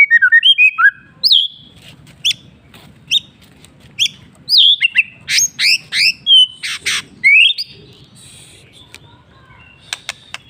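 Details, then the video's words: Afternoon song of a white-rumped shama, a varied run of sharp sweeping chips, rich down-slurred whistles and loud grating bursts, delivered in fast phrases with short pauses. "MURAI BATU bird singing in the afternoon"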